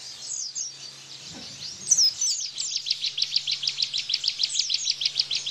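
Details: Bar-winged prinia, tembakan song style meant to tutor cage white-eyes. Scattered high slurred notes and a brief thump lead into a regular, accelerating series of bright chirps, about three per second.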